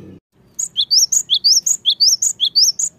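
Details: Song of a cinereous tit played to spur lazy birds into singing: after a brief low thump, a steady series of about a dozen sharp, high rising notes alternating two pitches, fast and even.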